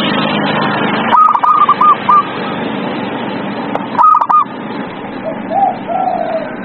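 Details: Zebra dove song used as a lure for a silent dove. Loud broadband noise opens, then two bursts of quick stuttering coos follow, with faint lower notes near the end.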